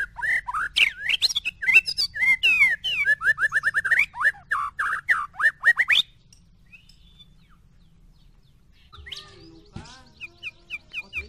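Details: White-rumped shama song, from a comparison of a short-tailed Medan bird and a 'balak 6' bird. It gives six seconds of loud, rich, varied whistles and rapid rolling phrases, then near quiet with a few faint distant chirps and a short thin series.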